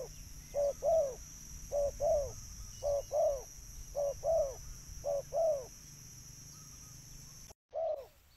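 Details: Spotted dove calling, used to lure birds: low hooting coos in repeated pairs, a short note then a longer falling one, about once a second, over a steady high electronic hum.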